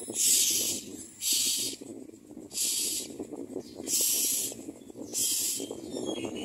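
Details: Common myna nest during feeding, an adult placing small food into the chicks' mouths; five harsh, hissing rasps repeat about once a second, each half a second long, over continuous soft rustling.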